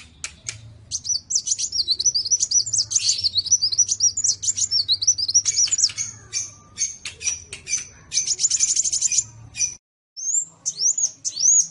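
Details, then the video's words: Sunbird singing vigorously in a match of two kinds of sunbird: a long, tumbling high twitter of squeaky slurred notes with interspersed dry ticks, a short silence, then thin whistled notes. "KOLIBRI NINJA VS KOLIBRI WULUNG SUPER GACOR"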